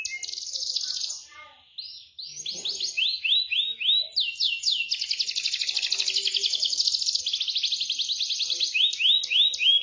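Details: Canary song, a looping kenari lure recording: rapid rolled trills of repeated downward-sweeping high notes, about four per second, with buzzy sustained phrases and sharp whistled chips near the end.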